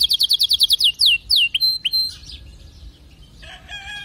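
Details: Domestic canary song: a rapid run of high chirps, descending slurred notes and two short whistles, fading into softer jumbled chirping with some lower tonal notes at the end.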